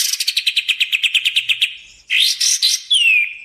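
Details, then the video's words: Lure song of a sooty-headed bulbul for trapping and training: a rapid string of short, even chips, then buzzy burst phrases and a clear, falling whistle at the end. "suara burung kapas tembak | suara pikat kapas tembak!!! cocok buat pikat dan masteran"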